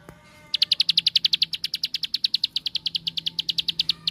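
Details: Rapid ngebren song of a bar-winged prinia, used as a lure for other prinias: after half a second of quiet, loud high notes repeat evenly and quickly to the end, over a faint low hum.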